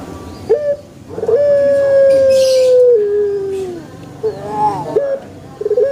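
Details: In a banana garden, a pelung chicken gives a long drawn-out crow: a sustained even tone of over two seconds that steps down near its end, with short wavering notes after it.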